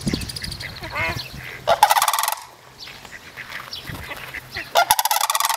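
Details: Three young sandhill cranes at Reifel bird sanctuary call to one another: two loud bursts of fast, rolling, rattling notes separated by softer honks and low background sounds.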